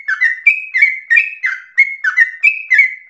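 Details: Sooty-headed bulbul in full song, recorded for stimulating and training other birds: quick repeated whistles, flat high notes alternating with falling slurred ones, roughly three per second, clean with nothing else audible.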